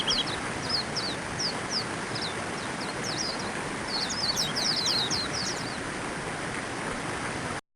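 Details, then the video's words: A white-eye gives thin, high twittering chirps in quick, irregular bursts that become a busier chatter midway, over a steady roar of wind or distant traffic. "Zosterops(綠繡眼)-01/The sound of nature"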